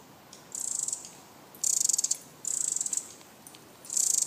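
Pacific wren giving its alarm call: four very high, rapid ticking chatters, each about half a second, repeated roughly every second over faint background hiss.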